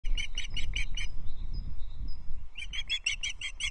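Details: Osprey at a Loch Arkaig nest on 19 May 2023, while a small breakfast is brought and quickly eaten. Sharp, high chirps come about twice a second, then pause with faint thin whistles, then resume over a low wind rumble.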